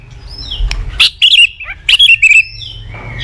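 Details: Morning song of a caged white-rumped shama used as a training lure: brief bursts of high, clipped whistled notes in two quick clusters, separated by soft pauses.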